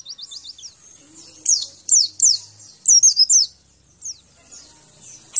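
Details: {'caption': 'White-eye song used as training for a caged bird. Quick soft ticks lead into loud, widely spaced, sharply falling high whistles, some in quick pairs and triplets, separated by short silences.'}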